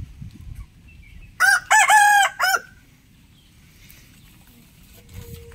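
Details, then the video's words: Rooster crowing in the morning: one loud, harmonic cock-a-doodle-doo of about four strained syllables lasting just over a second, ending on a falling note, with quiet background rumble. "Rooster crowing sound effect - sound of rooster crowing"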